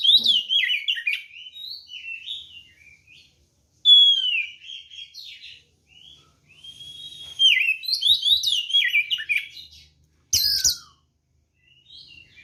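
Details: White-rumped shama, a vocal singer, giving a fighting song used to provoke other birds: rich whistled phrases and rapid chattering runs in bursts with short pauses, one sharp harsh note near the end.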